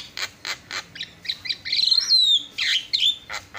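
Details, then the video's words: Javan myna song from a masteran (training recording for songbirds) of lively birds answering one another: a few harsh rasping notes, then a high whistled descending slur, a grating squawk, and short bright whistles. "FULL MASTERAN KICAUAN JALAK PALING YAHOOD"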